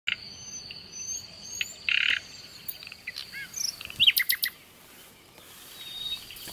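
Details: Common nightingale (Luscinia megarhynchos) singing by a river: loud, varied phrases with a harsh buzzy burst, clear whistles, then a fast run of sharp repeated notes, over a steady high hiss and soft flowing water.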